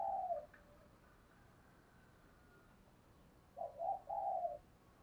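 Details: Spotted dove used as a lure bird, cooing to draw in wild doves: a brief low coo opens, then after a pause comes a three-part coo phrase of mellow, even notes over faint background hiss.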